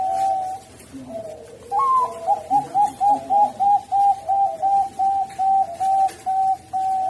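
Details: Zebra dove of the Bangkok type, in a training recording meant to lure and rouse a dove that has stopped singing: a high rising note opens a fast run of about twelve clipped, even cooing notes, with soft low coos underneath.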